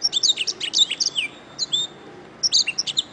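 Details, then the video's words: Canary singing a master song for training songbirds in morning or afternoon; quick high rolling notes and downward-sweeping whistles, a brief lull, then another cluster of sharp chirps. "SUARA BURUNG - Masteran Terbaik Kenari"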